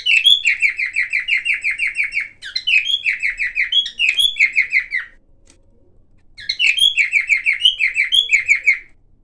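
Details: Silver cockatiel singing and making various sounds: fast strings of bright, warbling chirped notes in bursts of about two seconds, each burst opening with a higher twittered flourish, with a brief silent gap near the end.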